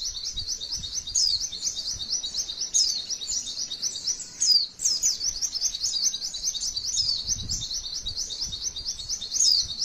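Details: Rapid high chattering from a female white-eye, a long 'tembakan' sequence of sharp 'wit wit' notes strung together continuously, with a brief break near the middle and occasional louder downslurred flourishes.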